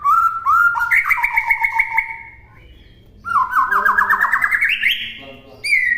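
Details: Master song of a White-rumped shama for other birds to copy: long sustained whistles with rapid trilled notes, a pause, then a fast trill that climbs steadily and ends on a high held whistle.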